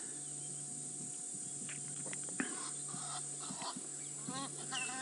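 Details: Egyptian geese flying overhead at Djuma Game Reserve, South Africa, on a December 3, 2016 afternoon game drive near a lion pride, give a quick run of harsh, nasal honks toward the end, while a man talks over a steady engine hum.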